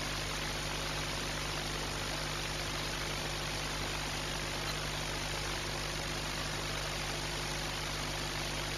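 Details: Continuous mechanical hum with steady low tones and dense broadband hiss from an industrial site, with no animal calls.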